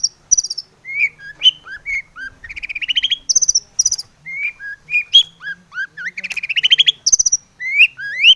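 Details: Energetic long-tailed shrike song, full of varied filler phrases, meant to stir other shrikes to sing: a rapid medley of high chatters, rising whistles and rolling trills, with no pause between phrases.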